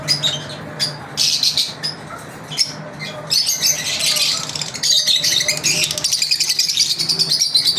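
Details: Several lovebirds chirp through a daily routine: dense, piercing high twitters that build in intensity, with scattered squeaks, a faint low hum underneath and some indoor clatter.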